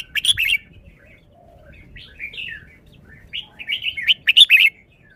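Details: Caged red-whiskered bulbul displaying its song style: a sharp chirpy opening, then a series of rising and falling whistled slurs, ending in a loud, fast, bubbling flourish.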